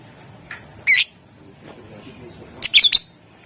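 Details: Lovebird calling to draw a reply from rivals, one sharp shrill squawk followed after a pause by a rapid triple burst of harsh high chattering notes.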